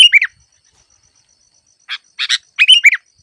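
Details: A Sooty-headed bulbul sings in a recording made to train lure birds used in trapping. Short bursts of bright, bubbly chirps alternate with a long silence, and each burst of notes drops quickly in pitch.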